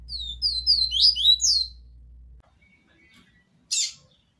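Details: Double-collared seedeater tutoring song of the TUI TUI VIVITI style, recorded live for teaching young birds: a rapid run of high, thin, descending whistled notes lasting under two seconds, then near silence, then one brief high burst.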